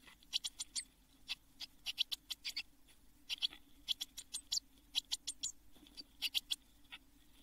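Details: Blue tit chicks in a nest box shortly before fledging in June 2022; softer, spaced groups of thin, high, scratchy chirps above a steady low hum.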